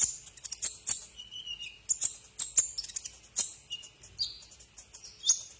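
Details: Brown-throated sunbird song from a tutor recording for cage birds: rapid, piercing high chirps mixed with short slurred whistles sliding downward, delivered continuously.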